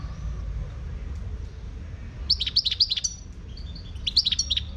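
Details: A Moroccan wild European goldfinch breaks into lively twittering song after two quiet seconds: rapid chattering notes and brief slurred whistles in two bursts, over low background hum.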